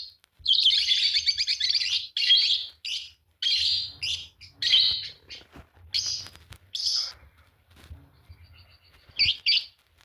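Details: Green pair of Fischer's lovebirds chattering: rapid buzzy trills and scratchy high chirps in uneven bursts, with clicks and some quieter calls later.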